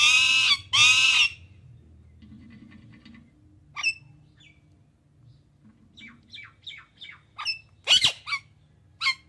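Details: Indian ringneck parakeet: two loud harsh squawks at the start, then a quiet spell and a run of short sharp chirps and clicks, closing with another raspy squawk.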